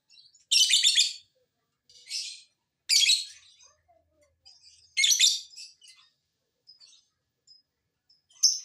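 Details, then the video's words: Lovebird lure sound intended to make other lovebirds call back: repeated shrill, rasping chatter bursts roughly every two seconds, alternating loud and quieter, with faint thin squeaks between. "Pancingan Lovebird agar BUNYI, Lakbet malas pun akan NYAUT"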